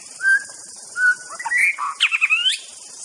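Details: A white-rumped shama whistles two low, pure notes, then breaks into a fast, climbing run of twisting, higher whistles over a background of continuous insects.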